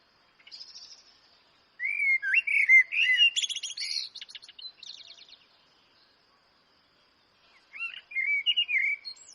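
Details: Eurasian blackbird song: low fluting whistles leading into a jumbled burst of squeaky, twittering high notes, a pause of about three seconds, then another softer warbled phrase, with distant birds chirping faintly.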